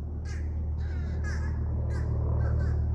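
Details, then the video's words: Crows preparing to roost on July 18, 2024 in Wellesley, Massachusetts: a series of hoarse caws, about four each second, over a constant loud low hum. "Crows Preparing to Roost"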